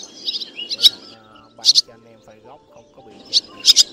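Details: Black white-bellied swallows give sharp, high twittering chirps in quick paired bursts every second or two over a low murmur; a flock-gathering and roosting call used as a trapping lure.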